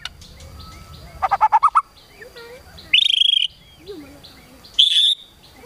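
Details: Kretekan tembakan song of a white-rumped shama, aimed at provoking rival birds: a fast rising trill of pulsed notes, then two harsh, buzzy high rattling bursts separated by soft low notes.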